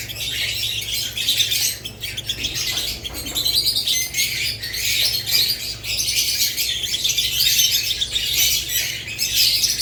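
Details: Many budgerigars, lovebirds named too, keep up a thick wall of bright, raspy chirps and chatter that grows slightly louder toward the end.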